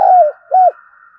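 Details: Fragment of a decoy spotted dove's coo, used to lure wild doves: the tail of a long falling coo and one short coo. A steady faint higher tone runs throughout.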